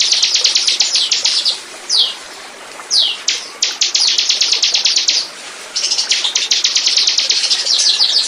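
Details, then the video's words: Bar-winged prinia singing in a lure recording to attract birds: fast bursts of high, sharp repeated notes separated by short gaps and two isolated descending notes, then a long closing run. "Burung. burung ciblek pancingan burung lepas"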